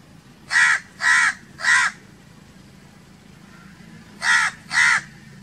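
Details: A crow caws harshly three times in a steady run, pauses for about two seconds, then adds two more hoarse caws; faint low rumble underneath.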